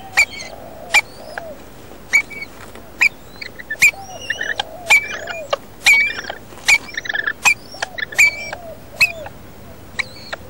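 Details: Wild rainbow lorikeets nesting in a roof: sharp, squeaky begging notes about once a second, some rising or bending, in a steady insistent series as the male feeds the incubating female.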